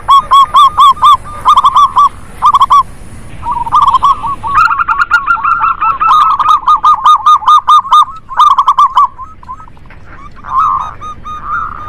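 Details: Several local zebra doves cooing together as a lure for doves that will not sing; loud bursts of quick, staccato coo notes in repeated groups, overlapping phrases and softer trailing coos at the end.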